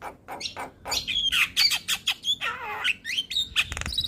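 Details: Javan myna singing energetically: a varied string of squeaky whistles, slurred notes and a harsh, falling, buzzy phrase, ending in rattling clicks, heard close up indoors.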